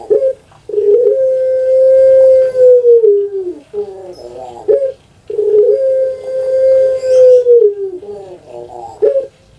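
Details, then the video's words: Puter pelung dove kept in Java, Indonesia, valued for its long voice, delivering two long, level coos of about two and a half seconds, each followed by a bubbling, gurgling flourish; a quiet indoor setting. "PUTER PELUNG SUARA PANJANG"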